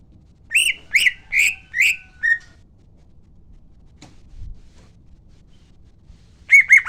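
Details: Greater green leafbird in a lure recording meant to draw out other birds. It gives five loud, harsh, rich whistled notes about every half second, a long quiet gap with a soft thump, then another burst of sharp notes.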